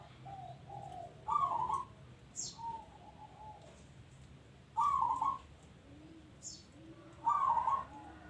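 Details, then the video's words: Zebra dove of local stock (perkutut lokal) in full song: short rolling trilled coos spaced a few seconds apart, trailing lower soft notes, with faint high chirps from other birds in the background. "Bunyi Perkutut Lokal"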